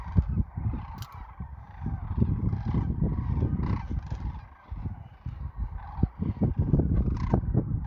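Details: Many sandhill cranes call together on spring migration south of Wood River, Nebraska, in 2024. Their hoarse, rattling trumpet notes overlap in a steady din, with strong low-pitched thumping and rumble beneath.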